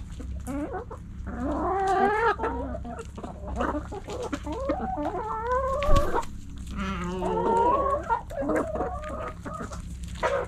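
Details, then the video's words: Several backyard chickens eating call over one another: roosters' drawn-out, harmonic crows rising and falling, mixed with hens' shorter clucks, over a steady low hum. "Hens Clucking Roosters Crowing"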